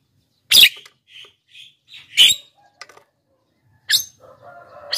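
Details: Black-winged myna, lure and training recording for wild and caged birds: grating screech bursts alternate with quiet short whistles and clicks, and the clip ends with a faint steady whistled tone beneath a harsh note.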